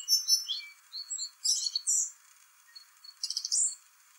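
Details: Springtime song thrush delivering its complicated song, a run of clear rising and falling whistled notes followed by buzzy, harsh high bursts and a short pause before a further rasping phrase.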